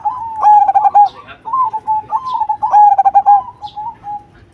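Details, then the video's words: Cemani zebra dove, praised for its big singing voice: two stuttering, bubbling coo phrases, each drawn out into a soft wavering tail. Small birds chirp faintly in the background. "Perkutut Cemani Gacor Suara BESAR"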